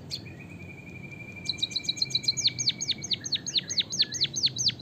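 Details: A white-headed munia from Java sings long canary-style fill: a long thin steady tone, then a rapid high trill running into loud, evenly spaced falling whistled swoops repeated about seven times a second.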